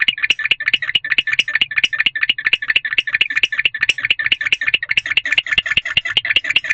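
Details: At about 4 am on 20 February 2023, a male barn owl chirps inside a nest box apart from his mate. Fast, evenly spaced series of short harsh ticking chirps runs throughout, over a soft low background hum.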